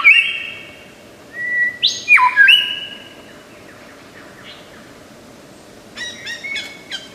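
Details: Lyrebird from Australian forests, renowned imitator, giving flat whistled tones that jump abruptly between pitches, a couple of quick warbles, then quiet, ending with a rapid stuttering cluster of sharp high clicks and chips.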